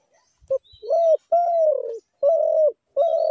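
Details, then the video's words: Spotted dove call, offered as a trapping lure: one short clipped note, then a rhythmic series of long, throaty coos, each sliding slightly lower at its end, separated by short gaps. Faint twittering of other birds is heard behind. "ঘুঘু পাখির ডাক"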